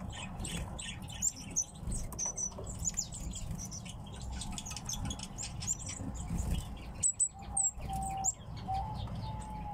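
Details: Several kept pet tits give thin, high chirps and short twittering notes in quick, overlapping bursts, with wing flutters, a low rumble and a few lower whistled tones near the end.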